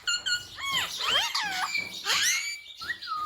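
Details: Pet ringneck parrot mimicking words such as mummy and papa indoors; a run of high, wavering, nasal syllables that rise and fall quickly, ending in a drawn-out downward slur.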